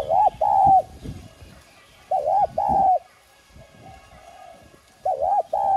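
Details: Decoy spotted dove in the clear 'Son' voice style, used to call and excite other doves into cooing, gives three loud phrases about two seconds apart. Each is a quick wavering note followed by a held, slightly arched coo.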